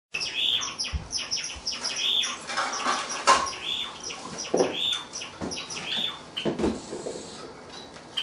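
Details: Pet bird, a second-born son one year younger than its brother, singing indoors; its song opens with a longer repeated 'pyo-pyo-pyo' intro. Short high chirps come in quick bursts through the clip, with soft clicks and thumps between them.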